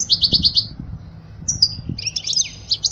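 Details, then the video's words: Goldfinch song used to teach young birds: a quick run of five bright, buzzy notes, then a short whistled note and a tumbling, high twittering phrase. "أجمل تغريدة لطائر الحسون لتعليم الفراخ الصغار"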